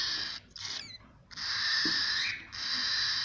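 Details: Young cockatiels utter wheezy rasping hisses. A short rasp carries a thin falling whistle-like tone, then two sustained harsh bursts follow.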